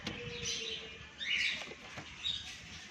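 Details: Alexandrine parakeet at 6 am: one loud, rough, grating squawk after a quieter opening, followed by fainter squawks, with soft chirps from other birds and low background rumble throughout.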